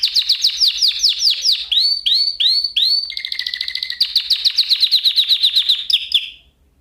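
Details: Canary song lesson: a canary repeats swooping down-slurred notes, then hooked rising-falling phrases, a buzzy rapid roll with a lower tone beneath, and a long fast trill fading out.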